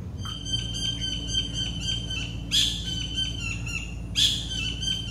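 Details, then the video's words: Collared kingfisher calling in Goa: a rapid series of short, evenly spaced high notes, broken by two louder, harsher bursts. A steady low hum runs underneath throughout. "White Collared Kingfisher Call"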